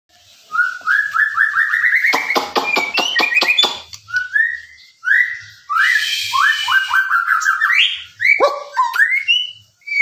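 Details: White-rumped shama singing: runs of short rising whistles climbing step by step, interrupted by rapid harsh rattling bursts and a scratchy buzz, then more varied whistled phrases with brief gaps.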